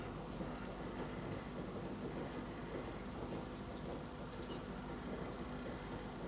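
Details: Daurian redstart calling outside a window during falling snow: short, thin, high whistled notes spaced irregularly about one to one and a half seconds apart, over a steady broad hiss of background noise.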